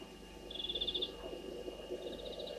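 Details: A Blacksmith Lapwing at Gowrie dam waterhole, Djuma Game Reserve, Sabi Sand, South Africa, at 01:08 on 06/07/2023, gives about ten sharp metallic clinks, then a softer second run, over a steady high insect hum.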